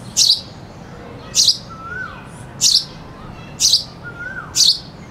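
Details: Sparrow chirps, five crisp high notes roughly one per second, with a cuckoo in the background heard as soft falling whistled notes between them.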